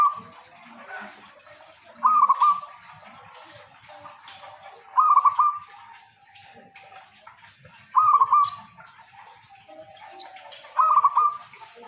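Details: Local zebra dove in vigorous song, offered as a lure to start other zebra doves singing: four or five rapid rolling coo phrases repeated roughly every three seconds, with faint high chirps of other birds in the background.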